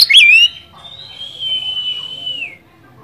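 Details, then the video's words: Oriental magpie-robin lure song used to provoke rival birds into singing: a sharp opening note, then one long, steady, high whistle that wavers slightly before dropping away, over a faint low background hum. "pancingan burung Kacer gacor ini bisa mendobrak emosi Kacer anda degan cepat"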